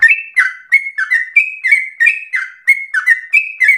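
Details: Sooty-headed bulbul in rapid, persistent, agitated 'ropel' singing, used to provoke other birds and as a tutor song: quick run of short whistled notes, each sliding downward, about three per second, with no other sounds.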